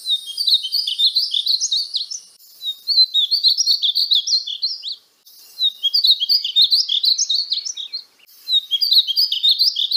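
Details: Painted bunting, native to North America, singing short sweet high warbles in repeated bursts separated by brief gaps, each phrase a quick tumble of chirpy notes.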